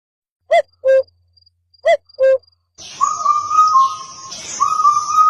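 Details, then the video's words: Bird gives two paired notes, a short higher note then a lower one, repeated once, followed by a steady, wavering whistled tone over a hiss. "sound of Bird"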